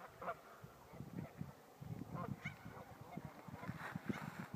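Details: Geese on a lake in Winthrop on a morning, occasional nasal honks over dense low rumbling and knocking sounds that fill most of the recording.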